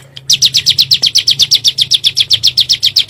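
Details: Bar-winged prinia, lure recording in the 'nembak' style to spur kept birds: after a short faint note, loud high chips follow in a quick, even series of about seven per second, over faint low hum.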